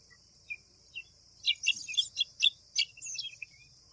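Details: White wagtail (Motacilla alba) giving a quick series of sharp, high chirps, some clustered in bursts around the middle, with softer descending twitters near the end over a constant high-pitched insect-like hiss.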